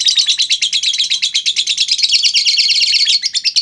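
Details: Lovebird 'ngekek' long chatter, the continuous shrill chattering the lure aims to trigger in other lovebirds; dense rapid high-pitched notes pour out without a break for almost four seconds.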